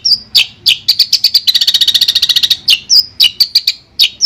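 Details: Long-tailed shrike singing, played as therapy for a bird that has gone quiet: sharp whistled notes bracketing a fast, even rattle of about twenty clipped chips in a row.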